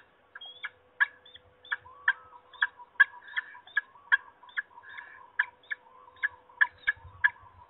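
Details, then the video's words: Peregrine falcon calling, Trzebież, Poland, 26 March 2021: a steady stream of short raspy notes, close to three per second, some sharper and louder than others, over a soft steady hum. "Sokoły wędrowne Trzebież (PL) 2021.03.26 - Forest nawołuje"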